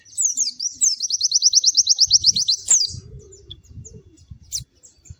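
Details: White-eye singing merrily: a brisk trill of high, evenly spaced slurred notes for about two seconds, a sharp call, then soft low rustling and one more high note.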